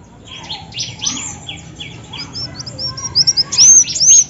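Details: A female olive-backed sunbird, recorded as a lure call, gives thin, very high chirps in quick irregular bursts, ending with a few sharp, slurred whistled notes.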